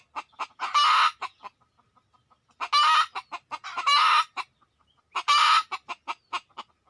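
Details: Red junglefowl on a decoy hunt, birds coming in quickly: three bouts of rasping, noisy squawks, each surrounded by short clucks, with soft clucking in the pauses.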